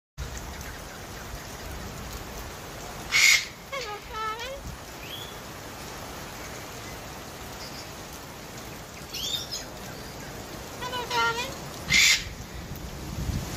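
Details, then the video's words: A talking cockatoo at the Dinosaur Museum in Denmark, Western Australia, twice says a wavering, voice-like "hello darling," each time near a short harsh screech, over a steady high hiss. "This Cockatoo actually talks says Hello Darling"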